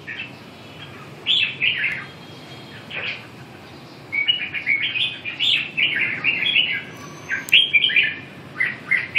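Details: Red-whiskered bulbul singing in bursts of short, bright warbled phrases around 1.3, 4–7 and 7.5–9 seconds, separated by quiet gaps over a low background hiss.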